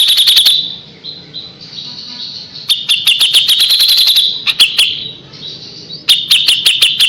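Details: Kapas tembak delivering repeated volleys of sharp, rapid notes, several stops and restarts, linked by softer rolling trills; fast 'tembakan' bursting as a tutor voice for white-rumped shama.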